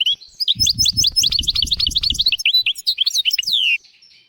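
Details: European goldfinch singing in a recording meant to tutor young goldfinches and canaries. A dense, fast twittering of high liquid notes and slurs ends in a downward sweep, with low soft thumping underneath.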